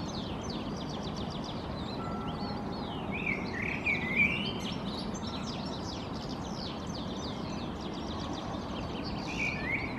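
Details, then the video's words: European goldfinch (Carduelis carduelis) singing while perched in a tree in Helsinki, Finland, in April 2023: rapid, busy twittering of high chirps and short slurred notes, with a few louder buzzy phrases midway, over steady low background rumble. "European Goldfinch perching, singing"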